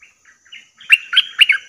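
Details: Lure call of a bulbul, played to attract fierce wild birds: a few soft scattered notes, then a loud, rapid run of gurgling, chattering notes rising and falling, ending abruptly, with a thin high hiss behind.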